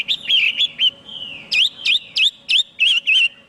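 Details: Chinese hwamei giving short varied whistles and a long descending slur, followed by six loud, sharp, upswept notes repeated at an even pace.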